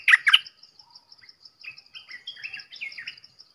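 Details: Red-whiskered bulbul opens with two sharp, loud chirps, then continues with quieter, varied whistled and warbled notes that drift up and down, accompanied by a steady high ticking.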